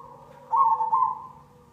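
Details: Lure song of a cemani zebra dove, with a faint low coo leading into a strong, throbbing coo phrase that tails off smoothly, all against a faint steady hum.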